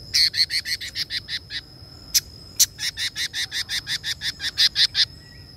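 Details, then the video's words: A female red-billed leiothrix gives rapid, lively runs of sharp chattering notes, about seven a second, broken by a pause with two lone notes, over a faint, steady high whine. "Quế Lâm Mái Hót Líu Kích Bổi Cực Xung"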